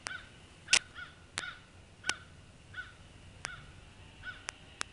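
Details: Bald eagle at a nest in northeast Florida on 21 January 2016. The nest holds two nestlings hatched in late December 2015. Soft arched chirps repeat about every second over sharp, loud, broadband clicks and a steady low hum.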